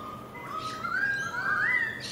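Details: Currawongs singing in a garden in Enmore, NSW, Sydney: a long, clear whistled phrase that glides slowly upward, rich and fluting, over quiet room-like background.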